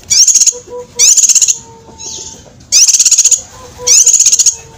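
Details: Cucak kinoi master song for training competition birds: four loud, shrill bursts of rapid high trilled notes, each half a second long, beginning with quick upward sweeps, with faint lower whistles between bursts.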